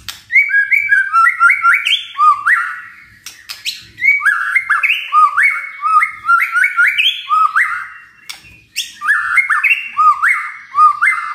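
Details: Caged white-rumped shama singing loud, fast phrases of stepped whistled notes rising and falling, bursts separated by short pauses, with sharp high clicks interspersed throughout.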